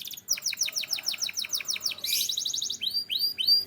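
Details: Singing canary from Türkiye with a series of loud, falling, sweeping notes, a buzzy rattling burst, then slower, rising, whistle-like chirps, with low background hum.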